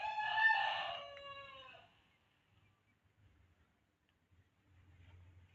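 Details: Domestic hens kept by the owner: one loud, harsh harmonic crow that starts strong and trails off over about two seconds, followed by near silence with only a faint low rumble.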